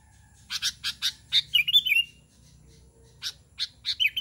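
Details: Sooty-headed bulbul calling to draw other bulbuls: a quick run of sharp, clipped chirps, then a short bubbly warbled phrase, a pause, and more chirps ending in another liquid burble over a faint low hum.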